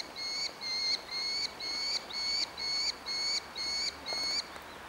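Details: Orphaned young Merlin chick begging for food in Engerdal, Norway, on 4 July 2011, repeating a thin, high, slightly rising whine about twice a second in a steady begging series, with faint background hiss.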